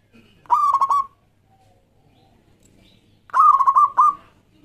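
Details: Local Zebra Dove used as a lure to make other doves sing: two loud, reedy, stuttering coo phrases nearly three seconds apart, the second ending in an extra short note.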